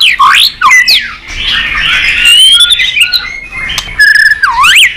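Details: White-rumped shama singing competitively: looping whistled notes dipping and rising, then a sustained warbling passage and a final swooping whistle, with a few clicks between.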